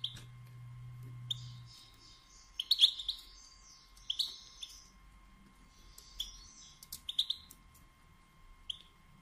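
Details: Female European goldfinch batbata, used to stimulate males to sing and mate: clusters of high chirps with some buzzier notes, in irregular groups, over a brief low drone at the start and a faint hum.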